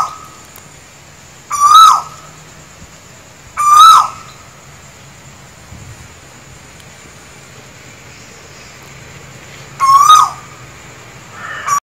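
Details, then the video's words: Asian koel singing in Sri Lanka gives three loud, clear, rising 'ko-el' whistles, two close together and one after a long pause, over a faint steady high insect hiss. "Asian Koel Singing ,කොහාගේ ගීතය"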